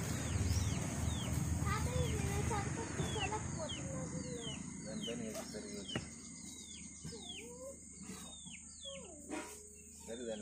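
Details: Chicks following their mother hen while searching for food in a village: a stream of high, thin, downward-sliding peeps repeated several times a second, with voices early on and a steady low hum underneath.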